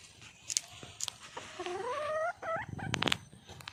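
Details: Red junglefowl hen, wild, calling for a male: a drawn-out, rising, whining tonal call with a second short rising note after it. Sharp clicks and snaps come before it, and there is faint background hiss.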